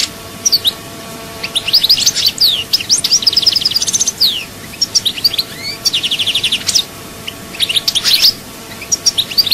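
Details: Continuous chaayba song of a European goldfinch from Souk Ahras, Algeria: busy high twittering, slurred whistles, fast rattling trills and sharp chirps, running almost without pause.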